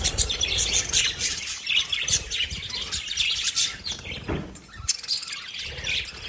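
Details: Lovebirds chirping in a dense, continuous chatter of shrill, high chirps and short squeaks from several birds at once, with a few brief louder notes and a faint low rumble underneath.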